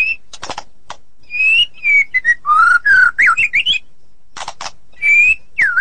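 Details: Captive white-rumped shama song: steady whistled notes, rough rasping bursts, and a quick run of looping, rising and falling whistles, ending with a drawn whistle and a dipping note.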